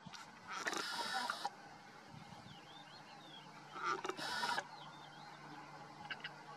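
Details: European roller (Coracias garrulus) near Zafra, Badajoz, Spain, giving two harsh, rasping, crackling bursts about three seconds apart, with faint thin whistles of other birds in between.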